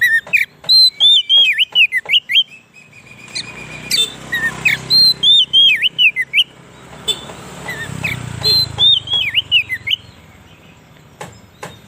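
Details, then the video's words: Oriental magpie-robin song, used as a lure for wild birds in forest and to excite captive birds: loud whistled phrases with sweeping, rising and falling notes in bursts, sharp clicks between them, and a low background rumble. "suara burung kacer cocok buat pikat burung kacer di huta liat dan cocok buat menaikan emosi kacer"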